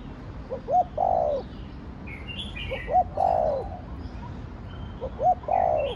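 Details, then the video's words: Spotted dove (cu đất) crowing in the Thổ Đồng voice style, a three-phrase sequence: two short rising notes then a long, throaty, descending coo, repeated roughly every two seconds, with faint high chirps from other birds behind. "Cu gáy giọng Thổ Đồng Thúc, Gù kích bổi nhanh nổi/ tiếng chim cu gáy giọng thổ đồng gáy, cu đất gáy"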